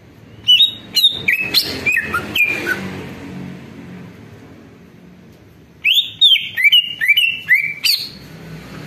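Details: Lure recording of a greater green leafbird meant to warm up other leafbirds and make them answer: rapid clear whistles and rising-falling phrases in quick runs, a brief quiet spell, then another lively burst of varied whistled notes.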